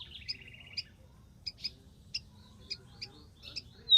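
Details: High chips and a short dry trill from a rufous-collared sparrow in the wild, followed by scattered sharp, high single notes at irregular intervals.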